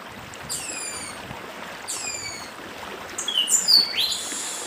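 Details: Fainter 'dedim' song of a Northeastern papa-arroz: two thin downward-sweeping whistles, then a cluster of sharp rising chirps, over a steady wash of stream water.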